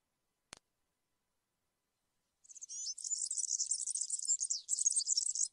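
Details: A single click, silence, then a European serin delivering a continuous rapid buzzy, jangling high-pitched warble in campero song style for about three seconds.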